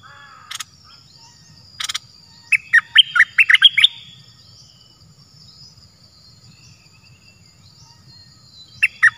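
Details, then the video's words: Wild cream-vented bulbul calling back to a decoy bird near a ground trap it will not perch on. Two brief sharp clicks come first, then a fast run of bubbly warbled notes, and another phrase starts near the end. "Burung merbah lekir gacorbahanan"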